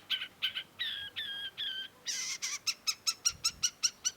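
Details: Long-tailed shrike, cendet, singing: several nasal, harmonic, drawn-out notes, followed by a rapid, even series of short high notes, about three per second, over quiet hiss.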